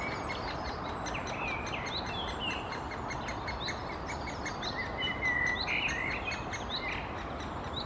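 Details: A Great Spotted Woodpecker nestling calls from its nest hole as the female parent comes to feed it, Helsinki, Finland, June 2021: rapid, high, squeaky chirps in quick bursts over a steady hiss of wind or leaves.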